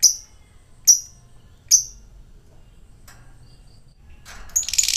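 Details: Lovebird ngetik and ngekek chatter, used as a lure to get a silent lovebird singing again: three sharp, very high ticking chips about a second apart, then a brief harsh, buzzy burst at the end.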